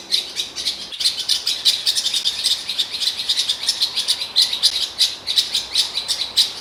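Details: Eurasian blackcap in Morocco, recorded in direct sound roughly 3 meters from a digital camera: a long, dense, high warbling chatter of rapid notes running continuously, with a brief click near the one-second mark.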